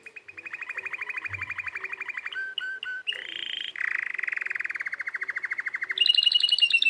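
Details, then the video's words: Canary singing: long rapid rolling trills of pulsed notes, broken by a few clear whistles and a buzzy passage, ending in a fast high-pitched trill, with a faint low bump early on. "canary singing video"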